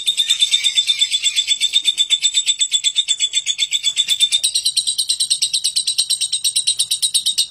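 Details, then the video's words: Long harsh ngekek from a lovebird: an unbroken, loud rasping chatter of quick regular pulses lasting the whole seven seconds, shifting slightly higher midway. "Suara Burung lovebird ngekek kasar dan panjang"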